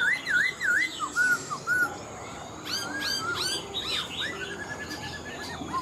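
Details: Caged black-throated laughingthrush, an old wild-caught bird said to sing well with a fine voice: wavy, rising-and-falling whistled notes repeated in the first two seconds, then scattered sharp chirps and slurred whistles over steady background noise.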